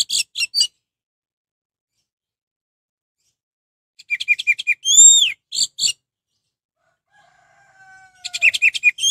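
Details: Orange-headed thrush song played to excite other orange-headed thrushes into answering: separated bursts of fast high chirps, one loud arched whistle in the middle, long silent gaps between phrases, and a faint low tone near the end.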